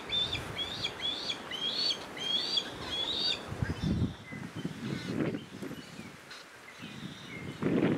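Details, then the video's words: Newly fledged Osprey, one of two young, begging its father to share his catch while the mother and the other fledgling fly around. A rapid run of sharp, whistled chirps for about three seconds, then only wind rumble. "Osprey Fledgling Begs Father to be Fed"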